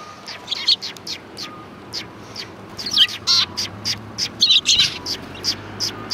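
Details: Sparrows at a Tenmangu shrine, 3 January 2020, keep up lively, dense chirping: rapid high notes about three per second, with busier overlapping bursts in the middle as several birds call together.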